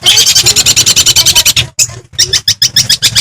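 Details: Long-tailed shrike from Madura singing energetically to stir rival shrikes: a dense, harsh, buzzy chatter of rapid notes, about four per second, a brief break, then more scratchy repeated phrases over a steady low hum.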